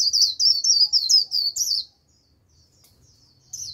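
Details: Used as a lure for a wild flock, a white-eye gives a quick chain of about nine high, slurred chirps lasting under two seconds, then falls quiet before one more note begins.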